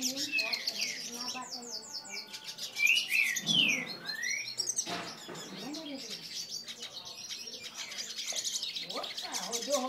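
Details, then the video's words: Excited male hooded siskin gives rapid high chirps and twitters, about three notes a second, with a few louder sweeping whistled slurs near the middle. Quiet human voices murmur in the background. "Pintassilgo pinheirinho "foguento", esse gala !!!"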